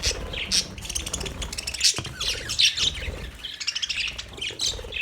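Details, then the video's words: Flock of Australian budgies chirping continuously, overlapping warbled twitters and rapid ticking notes forming a busy chatter, with a soft low rumble underneath. "Budgies Parakeet Birds Chirping sounds Big sound of Australian Budgies parrot"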